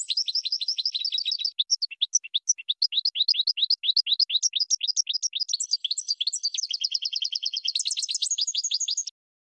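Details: Goldfinch song for birds to learn: nine seconds of unbroken, bright twittering with fast, sliding chirps, dense trilled passages, and a high, buzzy stretch near the end before it stops.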